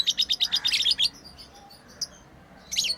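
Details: Rapid series of about ten sharp, high chirps from playing pet lovebirds, followed by a pause, a single note, and a final short harsh burst.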